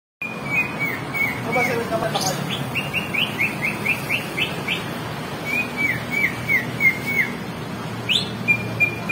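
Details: Greater green leafbird training track from Banyuwangi: clear whistled notes near one pitch, then a run of quick rising slurred chirps, then more even whistles, over a steady low hum and faint background chatter.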